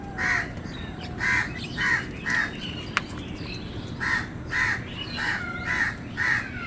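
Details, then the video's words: Crows competing with wild birds for food: nine hoarse, evenly clipped caws in two runs separated by a short pause, with a sharp click midway and faint whistled bird notes between them. "কাকের ডাক crow sound"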